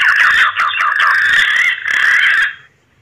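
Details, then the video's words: Green pigeon mating call: a loud, wandering whistle warbling up and down for over two seconds, with a brief break midway, then stopping; used as a lure call. "Suara burung punai kawin"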